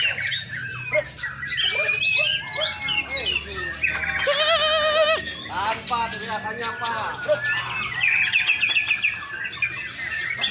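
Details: White-rumped shamas singing at a songbird contest: loud, rich whistles and rapid varied phrases, several birds overlapping, with murmuring human voices and handlers urging the birds on beneath.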